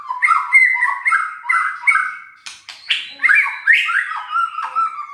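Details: Caged white-rumped shama singing to provoke reluctant birds: rapid repeated warbled phrases with sharp clicks about every half second, then louder rising and falling rich whistles.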